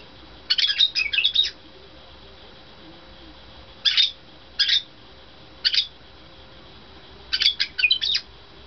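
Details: A white-bellied caique swinging on a swing gives shrill, scratchy squawks: a fast chattering burst, three lone screeches about a second apart, then another rapid cluster, over a faint steady hum.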